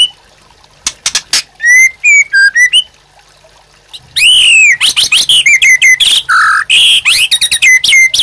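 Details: White-rumped shama singing 'gacor' for luring and training captive birds: scattered clicks and short whistles, then a loud dense burst of looping, swooping whistles and chips mixed with steady high notes.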